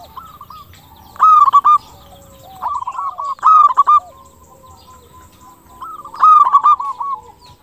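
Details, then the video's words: Local zebra dove used as a lure so other doves answer quickly; crystal-clear cooing in short bright phrases of rapid hooked notes, about three phrases separated by quieter pauses with faint softer coos. "PERKUTUT LOKAL GACOR SUARA KRISTAL - Pancingan perkutut bikin cepat nyaut"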